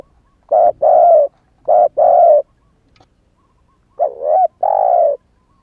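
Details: Spotted dove, a young bird that has just begun calling and still has its wild plumage, used as a lure for wild doves; low mellow coos in paired phrases, a short note then a longer one, repeated three times.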